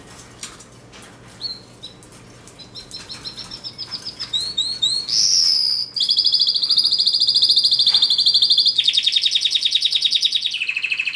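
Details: Singing canary: sparse chirps and short whistled phrases build up, then a pure rising note and a long sustained rolling trill that drops lower near the end, steady background hum.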